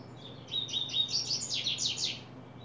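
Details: Double-collared Seedeater, coleiro, opening its song in July 2024: soft whistled introductory notes building into a chain of strong buzzy descending sweeps, a faint hum behind.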